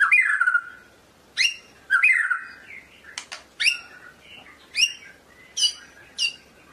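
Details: White-rumped shama of the Medan type singing: loud whistled phrases sliding down from about 2k, alternating with sharp high upswept notes and a brief rapid trill, with short silent gaps between bursts.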